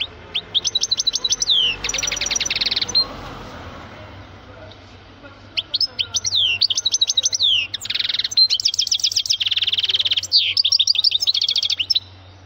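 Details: A male goldfinch sings loudly in two bursts: rhythmic repeated downslurred chirps and buzzy trills, a quiet pause, then a longer run of twittering and dense rattling phrases, over a low steady hum.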